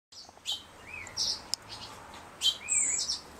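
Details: Fledgling Black-headed Grosbeak in care at a wildlife rehabilitation centre, not yet feeding himself, giving soft whistles with trembling wings to ask for food; two short rising whistles, with brief high chirps and faint clicks.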